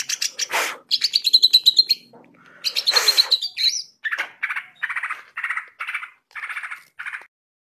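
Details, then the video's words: Greater green leafbird in full song, kept as a master reference for tutoring other birds: fast chattering trills and harsh noisy bursts, then a string of evenly spaced buzzy notes repeated about every half second. "CUCAK IJO GACOR NGENTROK ..!! COCOK BUAT MASTERAN"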